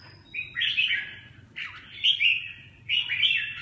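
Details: Red-whiskered bulbul singing in three loud warbled phrases about 1.2 seconds apart, each a rich slurred run of whistled notes with a rising start and fluttering middle, over a faint low background hum.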